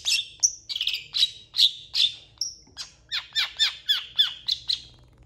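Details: Long-tailed shrike singing a varied mimicking song meant for training champion birds; cat and chicken imitations are mentioned. Clear, evenly spaced high chirps and short downslurred whistles, roughly two per second, in a quiet setting.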